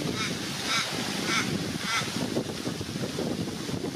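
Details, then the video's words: A crow up an oak tree by the fountain on Sunbury Village Green, Australia, gives four harsh, nasal caws about half a second apart, over a steady rush of splashing fountain water. "Crow cawl"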